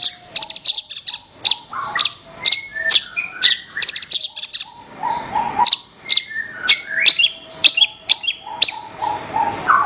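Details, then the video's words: Horsfield's bush lark song meant for training other birds: dense mix of high buzzy chirps and lower whistled notes, varied and continuous, with mimic-like twittering phrases. "Ocehan Suara Burung Branjangan"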